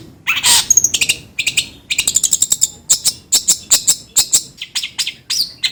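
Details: Long-tailed shrike song played to coax another bird into singing; a harsh rasp at the start, then fast trains of thin, high ticking chirps repeated at a steady pace.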